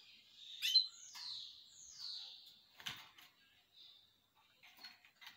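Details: Canary singing high, clear notes: a bright chirp followed by two long descending whistled slides, then short quieter twitters and scattered clicks.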